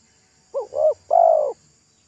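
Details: Single song phrase from a local spotted dove at a roadside, its pesom-style voice thick and loud: two short coos, then one longer, slightly trilled falling coo.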